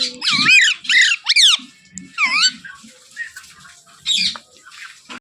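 A young Alexandrine parakeet gives harsh, squeaky squawks with wavering, rising-and-falling notes in short bursts, with soft low thumps underneath.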